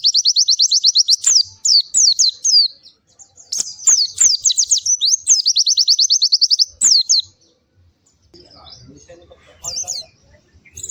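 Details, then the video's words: Lively, melodious white-eye: bursts of high, rapid trilled notes with sharp accented slurs, interrupted by a few clicks, then quieter with a last thin chirp near the end. "Kicau Burung PLECI GACOR MERDU"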